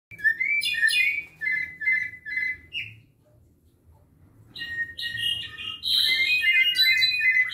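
Clay-colored thrush giving mellow, whistled phrases, a short burst about every half second, then a pause before a richer, warbling run of notes.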